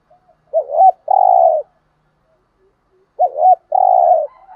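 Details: Spotted dove decoy from Dak Lak, Vietnam, used to provoke rival males: two repetitions of a wavy rising-falling coo and a long rough hoot, about three seconds apart, with soft coos at the end.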